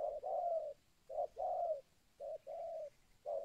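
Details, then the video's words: Local 'kuk 2' spotted dove, a lure call for wild spotted doves: alternating short and longer mellow coos repeated in a steady pattern, clear against a quiet background. "SUARA TEKUKUR LOKAL KUK 2 AMPUH UNTUK PANCINGAN BURUNG TEKUKUR LIAR"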